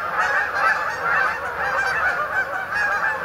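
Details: Short stretch of massed Canada goose honking, birds settling onto the main pond at Sapsucker Woods in Ithaca, New York, to spend the night, 28 October 2017.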